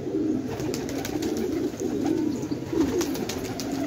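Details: Village fighting pigeons in Khan Abad, Afghanistan, produce a dense chorus of deep, rolling coos with wavering pitch, several birds calling at once, and light scratchy clicks.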